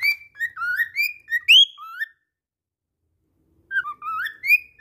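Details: Singing cockatiel, undeterred after slipping, delivers a quick string of rising and falling whistled notes, goes silent for about a second and a half, then resumes with upslurred whistles.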